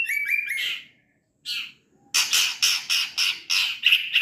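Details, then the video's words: White-rumped shama singing: a few high whistled and chirping notes, a pause, then a rapid series of harsh, scratchy squawks repeated about three times a second. "Bunyi murai trotol"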